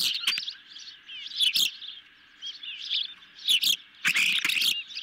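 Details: Ospreys fed a medium-sized fish at a nest camera, evening of 10 July 2021; bursts of high, rising-and-falling chirps come in short clusters separated by quieter gaps, with several loud broadband snaps.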